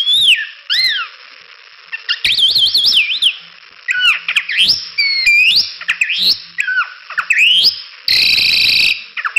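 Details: Crested myna in a lively tutor recording for songbirds: a sequence of clear whistled notes, some wavering up and down, others sweeping sharply upward, ending with a loud harsh grating burst.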